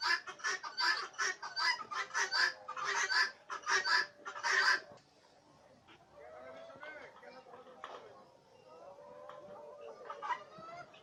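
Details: Farmed turkeys in Bangladesh give loud harsh nasal calls in quick bursts for about five seconds, then quieter, softer rising and wavering calls continue over low background noise.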